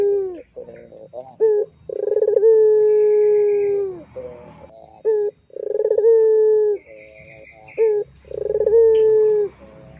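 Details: Barbary dove of the long-cooing pelung variety, a lively singer used to lure and tutor young doves: repeated cycles of a short accent note and a throbbing coo held for about two seconds, with faint background chirps.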